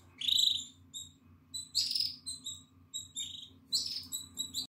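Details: Begging of a nine-day-old Atlantic canary nestling, eyes open and feathers emerging, 14 April 2022: loud, high, wheezy squealing bursts about every second, mixed with short thin cheeps, over a low steady hum.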